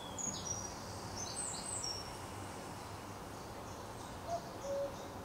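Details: Common cuckoo calling at Potteric Carr Nature Reserve on 2 June: one two-note cu-ckoo near the end, a short higher note then a longer lower one, after thin high chirps from other small birds and steady background hiss.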